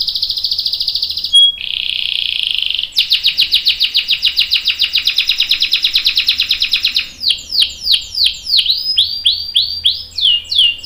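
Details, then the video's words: Long rolling canary song used as a lure so other canaries join in: a high buzzy trill, a sharp pure note, a long dense rattling roll, then quick descending swept notes in fast succession. "PANCINGAN KENARI GACOR CUIT CUIT bikin NYAUT ikutan BUNYI Ngerol panjang | CANARY SINGING"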